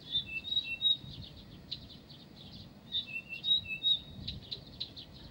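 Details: Pavlodar recording of a Blyth's reed warbler. It sings rapid, short, high whistles that alternate between two pitches, interspersed with quick chattering notes.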